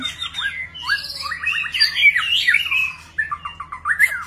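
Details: Displaying White-rumped shama pouring out many varied notes: clear whistles, fast rising slurs and chattering bursts in a continuous medley, with a steady low hum beneath.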